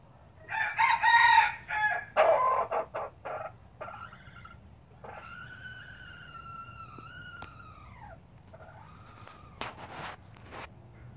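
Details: New breeder red junglefowl of pure Laos stock, 2016, giving a loud ragged crow in several rough bursts, followed by a quieter long clear tone that slowly falls away, over faint background rumble.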